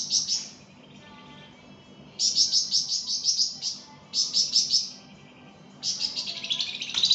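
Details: Flamboyan in energetic song, recorded for tutoring other songbirds: bursts of rapid, high trilled notes lasting about a second each, separated by quiet gaps, with a faint low hum beneath.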